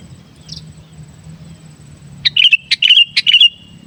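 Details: Sooty-headed bulbul (kutilang) giving gacor song for luring wild bulbuls. A brisk run of sharp chirps and short warbled whistles rises from silence about halfway through, roughly seven rapid notes. A faint high tick earlier, low hum underneath.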